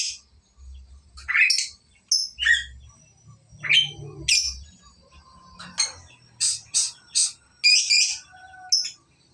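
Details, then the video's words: Lovebird practising ngekek, the song style with extended chatter, as its phrases lengthen; scattered shrill chirps and buzzy high bursts are broken by short pauses, with faint low rumbling behind. "burung love bird belajar ngekek durasi mulai panjang"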